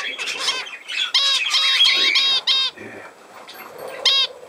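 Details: Budgerigar giving a loud, rapid burst of harmonic chirps and squawky notes lasting about two seconds, then a quieter pause and one final sharp chirp.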